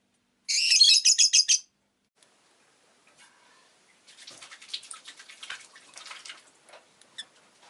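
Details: Pet rosy-faced lovebird producing a rapid pulsed string of about seven loud shrill chirps, followed by softer, scratchy chattering and faint background noise.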